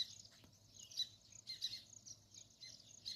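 Sparrows chirping: short, high, bright chips come in irregular bursts over a soft, steady high-pitched background chatter, probably from several birds.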